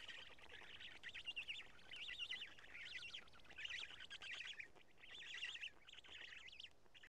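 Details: Black stork at its nest in Karula, Estonia, on 2 June 2017 at 20:04, during a nest change and feeding; high wavering, trilled calls come in bursts of about a second, five bouts separated by short pauses.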